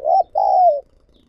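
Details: Decoy spotted dove calling wild doves in: a brief warbled coo, a short pause, then a drawn-out, smooth croo easing lower in pitch, in a still setting.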